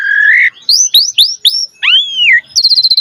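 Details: Javan pied starling song recorded to stimulate young starlings: a steady whistle, a series of upward-sweeping notes, a long arching slurred whistle, then a quick high trill.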